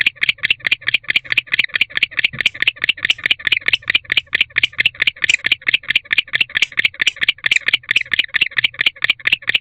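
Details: Barn owl male chirping at a nest box in the evening of 27 October 2023, part of courtship with his bonded female. Continuous scratchy, clicking chirps repeat quickly and evenly, a few slightly louder notes standing out.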